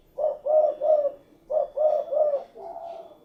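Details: Tekukur or spotted dove repeating its cooing phrase twice in quick succession, three short mellow low notes each time, the second phrase ending in a longer, softer drawn-out coo.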